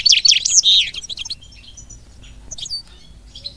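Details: A caged European goldfinch, kept for breeding goldfinch-canary mules with a female canary, gives a fast, high, tinkling twitter of varied liquid notes for just over a second, then a few scattered softer chirps.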